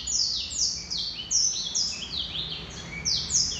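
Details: Male Black-throated canary delivering bright, piercing descending notes in short bursts, each sweep dropping quickly in pitch, loud pulses recurring roughly every half second, against quiet background noise.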